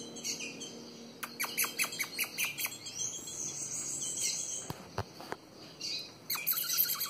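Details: A female ultramarine grosbeak, said to be calling for mating, gives quick, sharp chip notes in bursts of several per second, with a thin drawn-out high whistle partway through.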